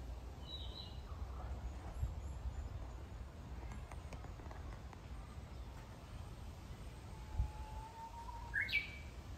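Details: Japanese bush warbler in early-summer green woods of Kitayama, Kyoto, June 2022: a steady, drawn-out low whistle that breaks into a quick, bright rising phrase near the end, over soft clicks and a background hiss.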